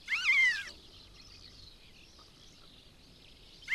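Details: Long-legged buzzard calling on its nest in Kalmykia Republic, filmed close up with an action camera: a loud, mewing, down-slurred scream around half a second long, then quiet hiss before a second call begins.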